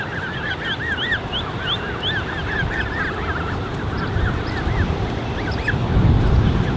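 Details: High, curving peeps pour from a Canada goose creche of more than 30 goslings, 13 June 2015, many chicks calling at once, over a rough low rumble that swells near the end.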